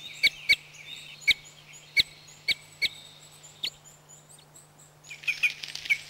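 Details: Red Crossbill recorded in Corrèze, France, giving sharp, separate high-pitched call notes at irregular intervals, ending in a quick cluster of calls, with a constant low hum beneath.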